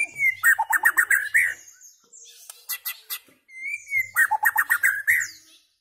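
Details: White-rumped shama giving two loud song bursts, each a quick series of sharp downward-sweeping notes after a rising whistle, separated by a short quieter pause.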